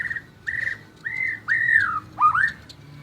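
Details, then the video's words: Five clear, pure whistled notes from a white-rumped shama, each about a half second long, the later ones rising and sliding down, the last one a quick upward swoop. "Murai Batu Gacor Juara: Kicauan Penuh Gaya dan Energi"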